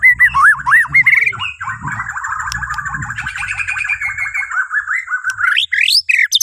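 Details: White-rumped shama of Borneo singing, used to prompt other birds to sing in the morning; rich run of looping whistles, then a long fast chattering phrase ending in sharp rising upslurs, with low rumbling in the background.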